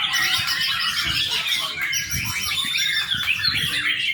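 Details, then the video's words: Young white-rumped shama giving fast, jumbled song: dense twittering and scratchy notes tumble over each other about three times a second, with irregular rhythm and low background thumps. "murai batu muda. cakep buat pancingan"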